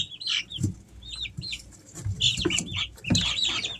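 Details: Pet Easter Egger chicks, three weeks old, during summer at home, giving a few spaced, high, down-curving cheeps, then denser overlapping chirps, with soft thumps below.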